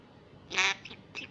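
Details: Indoor recording of a young female common myna, a rescued wild chick in Israel learning Hebrew words: one loud, hoarse, drawn-out syllable followed by two softer breathy notes.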